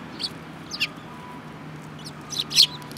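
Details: A group of sparrows, among them a yellow-billed youngster, on 18 January 2018, giving bright, sharp chirps: two single notes, then a quick cluster of three louder chirps near the end, over a faint steady hum.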